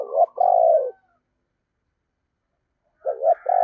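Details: Caged decoy spotted dove cooing in the 'giọng thổ' style: two phrases of deep, rounded coos, each a short note followed by a longer drawn-out one, separated by a pause of about two seconds.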